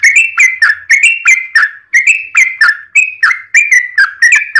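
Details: Yellow-vented bulbul giving a long 'ropel' fighting song, used as a lure to provoke other bulbuls into singing: loud, bubbly whistled phrases of rising and falling notes, repeated rapidly with short breaks between bursts.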